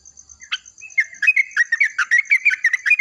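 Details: Yellow-vented bulbul singing loudly in the morning in reply to another bulbul: a sharp note, then a rapid, bubbling string of warbled chirps, about three per second, with a steady high whine in the background.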